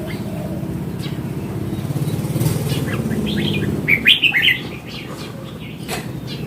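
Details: Mature wild red-whiskered bulbul gives a brief, rapid burst of bright, tumbling notes after a stretch of low rumbling background noise.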